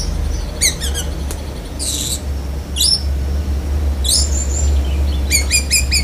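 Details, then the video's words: Black-breasted oriental magpie-robin mixing in lovebird imitations: quick high chirp series, a brief harsh buzzy note, and sharp rising whistles, against a constant low droning hum. "Kacer DAHIT besetan kapas tembak sambung lovebird"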